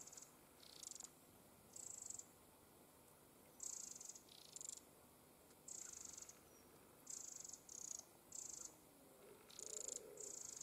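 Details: A Eurasian wren family with several young that seem recently fledged gives very high, hissing call bursts, each under half a second, repeated irregularly about once a second over a soft, steady background hiss.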